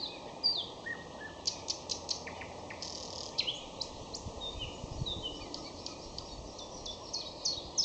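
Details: Nightingale in May pouring out varied song: high whistles, low slurred notes, loud sharp clicks and buzzy rattles in quick succession, the phrases separated by short pauses, over a hissing background.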